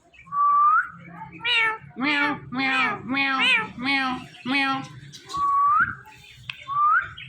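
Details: Indian ringneck parakeet kept as a pet repeating a meow-like word about six times in a steady series, framed by rising whistled notes before and after.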